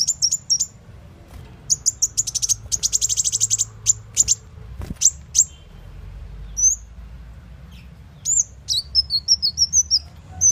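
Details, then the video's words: Muncang or kolibri wulung sunbird lure call for trapping birds: rapid bursts of very high chipping notes and a fast rattled trill, then scattered thin whistles and short sweeping chirps. "Panggilan Burung Muncang"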